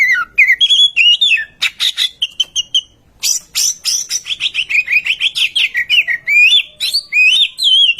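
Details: Oriental magpie-robin (murai kampung) song used as a lure to make other birds sing: rich whistled phrases sliding up and down, mixed with rapid buzzy chatter and sharp repeated notes, loud and continuous.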